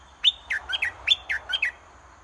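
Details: Red-whiskered bulbul decoy in a cage, used to draw a wild bulbul down to fight, delivers a phrase of whistled notes that swoop downward, repeated twice in quick succession, over a faint low hum.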